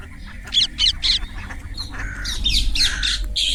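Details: Indian ringneck parrot calling naturally: three sharp, harsh squawks in quick succession, then a brief pause and a second run of loud screechy notes, over a steady low rumble of background noise.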